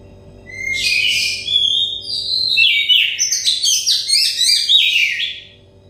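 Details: Oriental magpie-robin therapy song for stressed birds: a soft start swells into long whistles and then a lively, fast sequence of high chirps and slurred notes that fades out at the end, with a low background hum.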